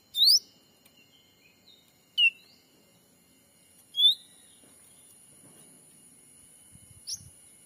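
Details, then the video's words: Black-capped bulbul lure call used to attract wild birds in a Sumatran forest: three short, sharp, upward-sweeping whistled notes about two seconds apart, then a fainter fourth note, over a steady high insect-like hiss and faint low rustling. "suara asli pikat cucak ranting"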